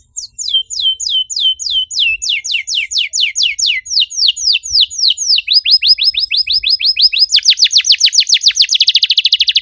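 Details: Canary gacor song, rapid and dense, used to trigger silent canaries. Almost ten seconds of continuous high, descending whistled notes speed up gradually and end in a fast, bright, buzzy trill.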